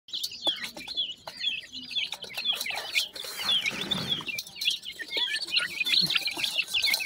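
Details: Black francolin chicks, called Irani teetar or ringneck francolin, in a nursery setting. Many chicks give a continuous chorus of high, thin, rapid cheeping chirps, overlapping densely. Occasional clicks and a soft rush of noise sit beneath them.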